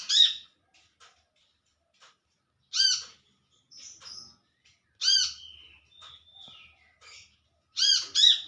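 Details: Olive-backed sunbird calling companions in the wild: harsh, nasal, arched notes repeated every two to three seconds, a thin descending whistle between them, and a final quick double call.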